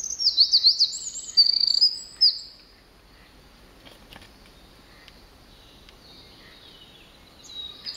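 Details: A tiny Eurasian wren singing with its whole body on 16 July 2011 in Nagano, Japan, away from a river, bursts into a loud, very high, rapid trilling song for about two seconds, then falls silent over soft hiss.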